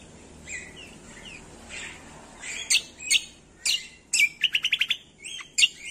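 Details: Cucak kombo song as a lure for reluctant singers: soft downslurred whistles open, then loud separate chirps and a fast rattled trill of about six notes.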